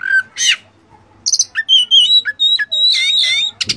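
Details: Oriental magpie-robin (kacer) training song packed with borrowed phrases: a rapid jumble of clear whistles, short sharp chirps and buzzy rattles, shifting pitch and changing every fraction of a second, with brief pauses between bursts.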